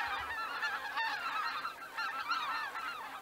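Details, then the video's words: Many greater white-fronted geese calling as they leave the roost at Miyajima-numa in 2023, a constant mass of overlapping high honks and squeaky yelps. "宮島沼マガンねぐら立ち2023 その3"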